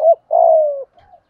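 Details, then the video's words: Decoy spotted dove calling to lure wild doves: a brief low hooting phrase, a short dipping note then a longer steady coo that slides slightly downward, followed by a faint soft trailing note; otherwise quiet. "chim cu gáy mồi gáy gọi/ tiếng chim cu gáy kích bổi nhanh nổi"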